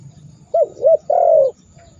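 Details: Spotted dove cooing, used to make rival birds call: two short rounded hoots followed by a longer, slowly falling coo, over a soft low rumble and a thin constant high tone.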